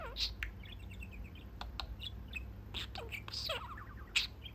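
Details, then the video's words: Caged male pet budgie sitting at his cage window to chat with his owners; busy stream of quick ticks, trilled warbles and bright chirps, broken by sharp clicks, over steady low indoor hum. "Talking Parakeet"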